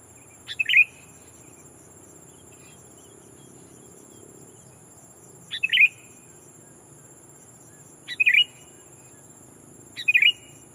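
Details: A lure sooty-headed bulbul calling against a rival to entice wild birds, giving four brief warbled chirps about every two and a half seconds, each opened by a crisp tick, over a quiet, steady high tone.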